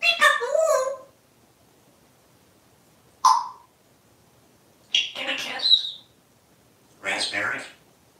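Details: Pet parrot chattering indoors around its plush parrot toy: four separate bursts of squawky, speech-like syllables and clicks spread over several seconds, with quiet gaps between.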